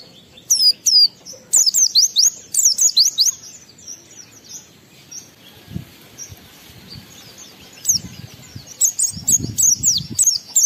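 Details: Oriental white-eye singing to stimulate emotion in other white-eyes, with dense bursts of very high, fast, twisting notes, a quiet gap in the middle, and renewed rapid twittering toward the end.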